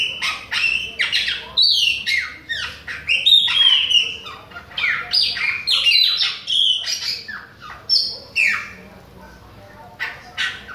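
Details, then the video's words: Chopi blackbird, Bahian type, singing nonstop toward other birds: a dense, fast stream of whistled slurs, downward-sliding notes and harsh clicks, about three notes a second, with gaps near the end. "PÁSSARO PRETO BAIANO NÃO PARA DE CANTA NA CARA DOS OUTROS !"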